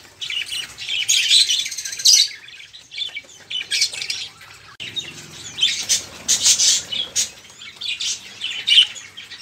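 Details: Noisy budgerigar chatter meant to coax caged songbirds such as canaries into singing: dense, scratchy warbling and squawks in two long bursts separated by a brief lull near the middle.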